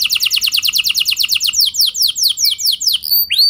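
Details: Canary song for stirring other canaries to sing: quick regular trill of sharp downslurred notes, slowing into longer sweeping descending notes, then a few rising whistles at the end.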